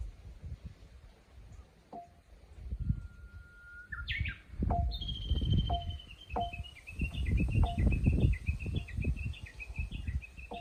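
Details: Japanese bush warbler in a countryside chorus: a long, level whistle swells into a higher, rising phrase, then a rapid run of repeated high notes. Another bird gives regular short calls beneath, with flowing water throughout.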